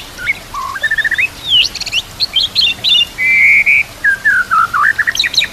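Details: Singing murai batu (white-rumped shama), a full isian training recording: clear stepped whistles, quick high chips, a level sustained whistle, then falling and rising warbled notes, loud and close.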